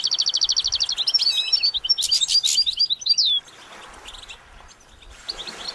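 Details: Goldfinch song opening with a fast, evenly pulsed high trill that breaks into tumbling twittered notes and buzzy phrases, then stops abruptly, leaving near silence before a faint final twitter.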